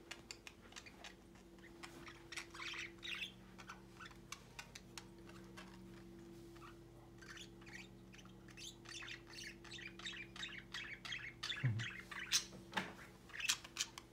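A flock of budgerigars chatters with quick, scratchy chirps and squawks over a steady low hum.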